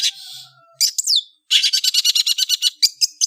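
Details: Long-tailed shrike singing: a thin hissing note, a short whistled upslur, then a fast run of harsh, scratchy chattering notes about eight per second.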